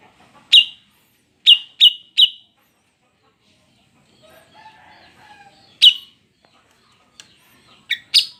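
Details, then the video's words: Breeding female Greater green leafbird call used to attract males, loud sharp falling chips in a group of four, a quiet pause with soft faint sounds, then further spaced chips. "Suara ampuh C.Ijo BETINA birahi untuk pancingan CUCAK IJO Jantan"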